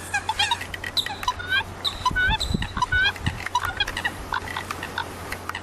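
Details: Several common coots give chattering calls, short nasal notes and a few squeaky rising whistles in quick series. Some dull low thumps come partway through, over a steady hum.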